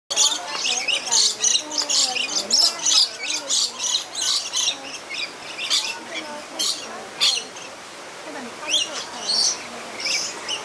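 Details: Lorikeets playing at Lowry Park Zoo in Tampa, Florida, chatter in dense, shrill screeches and squeaky chirps, bursting out several times a second, with softer warbling notes underneath. Finding: Lorikeet.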